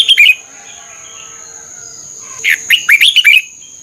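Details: Red-whiskered bulbul song played to train caged birds in Thailand: a short bubbling phrase of warbled notes opens, then after a pause a quick run of five or six liquid, slurred whistles; steady high electronic tone throughout.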